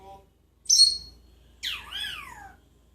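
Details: A talking, singing parrot kept in Jeddah gives one sharp high chirp followed by a long sweeping whistle that rises then slides downward, in a quiet indoor setting.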